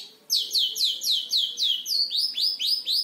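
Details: Five-month-old long-tailed shrike kept as a cage bird, copying lovebird and canary: fast sweeping squeaky notes falling in pitch, about four each second, turning to upswept chirps near the end.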